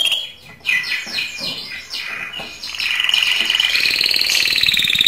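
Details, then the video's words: Canary song meant to stimulate females for mating, starting with quick descending sweeps and chirps, then settling into a loud, sustained rapid trill that climbs in pitch and holds steady to the end. "تغريد كناري للتزاوج"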